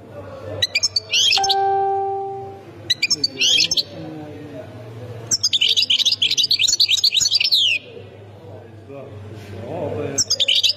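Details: European goldfinch, Khemis Miliana sector, Ain Defla province, Algeria: brief high chirpy bursts, a steady pure tone near the start, then a dense twittering song run in the middle and more chirps at the end.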